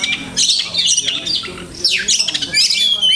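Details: Kacer, or Oriental magpie-robin, delivering imitated song phrases (masteran): harsh squawky bursts and high thin whistles, a quick downward-sweeping run near the middle, then shrill piping notes to the end.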